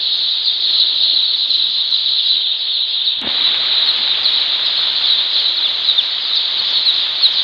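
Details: Day-old chicks just hatched at a poultry farm, in the brooding period. Loud, shrill peeping from a large group runs unbroken throughout, interrupted once by a sharp knock just past three seconds.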